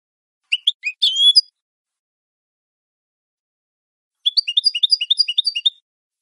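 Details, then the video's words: European goldfinch, clean song for training captive birds; a short twittering phrase with a whistled slur, a long pause, then a rapid series of high tinkling notes. "Canto limpio de Jilguero"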